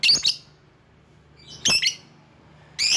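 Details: Lovebird calling to attract rivals: three loud, clipped bursts of grating, chattering squeaks, about 1.3 seconds apart, over a faint low hum.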